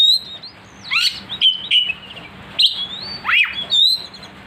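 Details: Kacer, the oriental magpie-robin, singing emotionally after provocation: long drawn whistles broken by harsh downward slurs and scratchy notes, fairly continuous, with a quiet hum behind.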